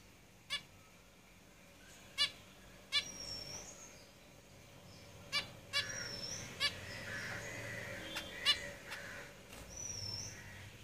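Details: Zebra finches kept in a cage give spaced, nasal, stacked calls, roughly a dozen in eleven seconds, with a few thin high whistles against a noisy, hissy background.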